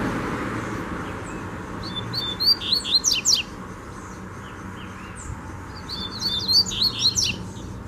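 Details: Double-collared seedeater singing in the wild bush: two bursts of rapid, high, sharply slurred and buzzy notes separated by a pause of a few seconds, with a quiet background hum.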